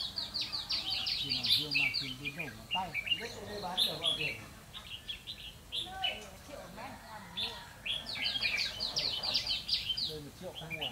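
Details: Red-whiskered bulbul decoy used for trapping, 12 November 2016, delivering a fighting song: rapid, jumbled whistled notes in repeated bursts, loudest early and again near the close, over steady background talking.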